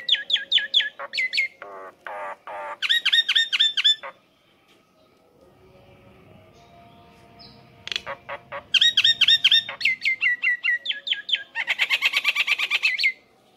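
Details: Nias hill myna; call; male calling to the female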